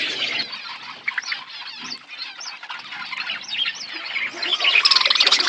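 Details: Budgies eating in an outdoor aviary make steady fast twittering chirps with rising squeaky notes, growing louder and more rapid at the end.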